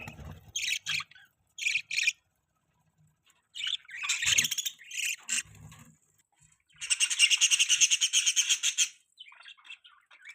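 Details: Pet budgerigars chirping: short bursts of harsh, buzzy chirps, then a sustained two-second stretch of rapid, rattling chatter, with a few low thumps and rustles between calls.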